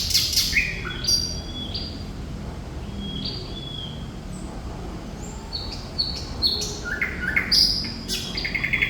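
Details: Thrush nightingale (Luscinia luscinia) in sustained song: a varied run of sharp whistles, chirps and rapid clicking trills, phrases scattered through the clip over a low background hum.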